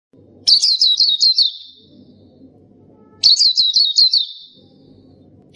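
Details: Black-capped white-eye song: two bursts of rapid, high, chirping twitter, each about a second long and roughly three seconds apart, with a faint low rumble in the quiet gaps.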